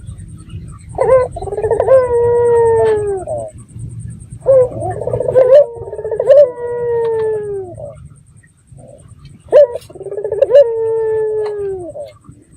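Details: Red-eyed dove, local and in full voice, its lure call meant to provoke other doves to reply: three phrases, each a short rolling burr and then a long sustained coo that drifts downward, with a low background hum.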